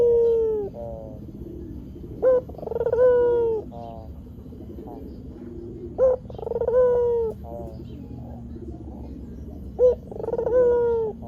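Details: A white Barbary dove, recorded to draw wild doves into answering, gives three cooing phrases: a short opening note, a pulsing roll, and a long, even, mellow coo that fades downward.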